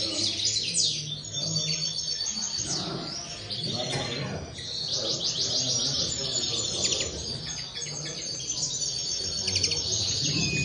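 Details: Common linnets in a group deliver fast overlapping twitters, rapid high chirps and buzzy trill bursts about three per second, louder near the start and again toward the end, with a faint low rumble beneath.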